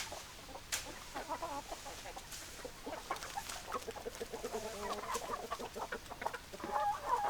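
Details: Hens clucking among roosters: soft, scattered clucks and short calls with a few sharp clicks, then a brief higher note near the end, over a faint background hiss.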